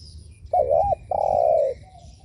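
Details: One spotted dove coo phrase used to stir up other doves: a brief wobbling, slightly dipping note, a short pause, then a long level hollow coo fading at the end.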